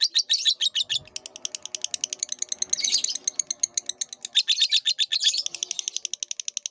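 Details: Lovebird from a long masteran training recording for cage birds: continuous fast squeaky chattering with brief bursts of harsher, fuller notes, over a faint low background murmur.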